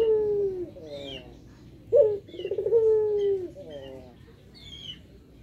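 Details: Dove answering its owner's greeting with low, drawn-out coos. One opens the clip, and another begins with an abrupt accented note before a rolling, descending coo. Scattered high twitters from other birds are heard in the background.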